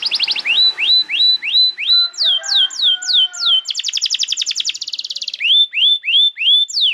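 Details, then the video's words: Canary song for training young birds and restarting birds that have stopped singing: series of bright downward-swooping whistled notes, a rapid buzzy trill, then repeated slurred whistles, all high and clear. "Pancingan Suara Kenari Gacor‼️ Ampuh untuk Masteran Kenari Muda dan Terapi Kenari Macet Bunyi"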